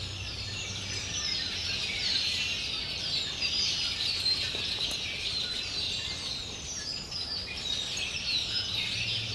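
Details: On a quiet morning at Jean Lafitte Barataria Wildlife Preserve south of New Orleans, a huge, unseen flock of Red-winged Blackbirds makes a dense, unbroken wash of high chattering and squeaky chips, with countless overlapping voices.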